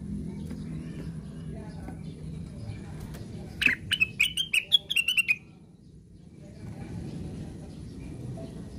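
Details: Plaintive cuckoo, said to be 'sleep-talking' (ngigau), gives a run of about nine clear whistled notes that step downward and waver slightly, over a steady low hum of background noise.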